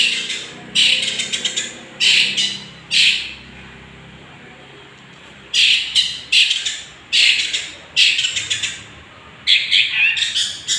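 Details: Young Long-tailed Shrike, 'gondrong' form, in full voice as a provoking lure: loud, scratchy, broadband chattering phrases in separate bursts, with a two-second silence in the middle.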